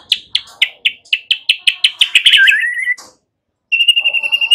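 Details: White-rumped shama song played to prompt young birds to sing quickly: a steady series of about a dozen sharp, evenly spaced chips that runs into a descending whistle, then a pause and a high rapid trill.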